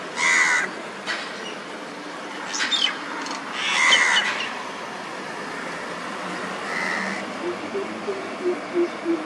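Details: An Andaman coucal (brown coucal) on Andaman Island, India, in March 2020 gives three harsh, rasping bursts a couple of seconds apart, then a run of soft, low hoots near the end.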